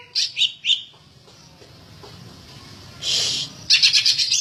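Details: Greater green leafbird, said to be a prolific singer ready for contest hanging, giving a few quick high whistled notes, then a quiet gap, a short buzzy rasp and a rapid chattering burst of high notes.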